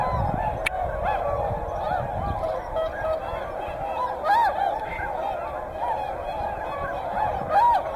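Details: At Hyoko, Niigata, whooper swans among tundra swans give a continuous babble of honking calls, with a few louder, clearer bugled notes standing out above the flock chorus.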